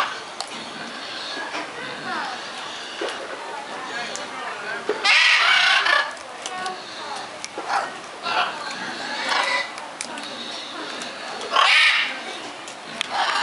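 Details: Captive macaws at Longleat Safari Park, England, August 2011: two loud, harsh, grating squawks several seconds apart, over a steady background of crowd chatter and voices.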